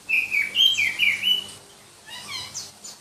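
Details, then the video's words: Shrill song of a black-breasted Oriental magpie-robin, a Berau, East Kalimantan variety prized by hobbyists: quick string of bright whistled notes for about a second and a half, then a softer burst of high thin twitters. "Kicau Kacer Kalimantan"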